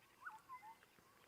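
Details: A Black-headed Oriole calls in the African bush on the morning of 5 March 2023, giving three quick liquid whistled notes, the first slurred upward and the next two lower and steady, faint against a quiet outdoor background.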